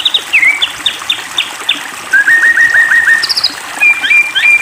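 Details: White-rumped shama singing, used as a provoking lure: short clipped whistled notes in quick series, a fast rattling trill, then bright rising whistles, with a soft watery background.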